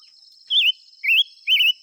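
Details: Silver-eared mesia singing: three loud, warbled whistled phrases, each about a quarter second long and spaced roughly half a second apart, wavering up and down, over a steady high-pitched insect drone.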